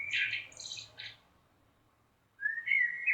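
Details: Common blackbird ending a phrase with high scratchy twittering, then a short gap before a new clear whistled note begins; a faint low hum sits underneath.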